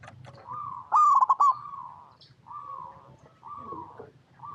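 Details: Local perkutut (zebra dove) singing actively, used as a lure to make other zebra doves answer: a loud bubbly, stuttering coo phrase near one second, framed by softer, steady mellow coo runs and a faint low hum.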